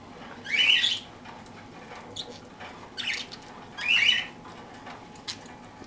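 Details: While eating toast, parakeets let out harsh, noisy squawks roughly every one to three seconds, with softer short notes between.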